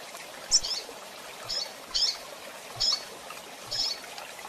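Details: Calling female double-collared seedeater kept for training: five brief high chirps spaced roughly every half to one second, each a quick bright note, over constant soft hiss.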